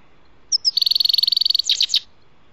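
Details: Grey-headed goldfinch song heard while trapping: two short high notes lead into a rapid even buzzing trill lasting about a second, ending in a few quick descending twitters.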